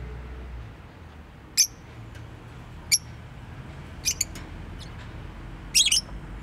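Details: A pet bird gives four short, sharp, high chirps spread over about six seconds, with quiet gaps between them and a low steady hum underneath.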